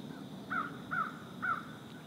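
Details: Three harsh, clipped, downward-slurred calls roughly half a second apart from a Green heron (Butorides virescens) hunting in pond shallows, with a quiet, even ambient hum behind them.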